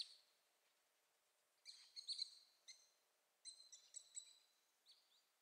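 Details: Mallard ducklings (Anas platyrhynchos) give high, thin peeping calls in short clustered bursts, several notes at a time with brief pauses between, against quiet background hiss.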